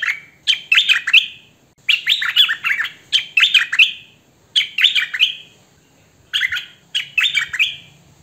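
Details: Hwamei song captured by phone or camcorder: sweet, varied whistled phrases with quick slurs, repeated in bursts separated by short silences.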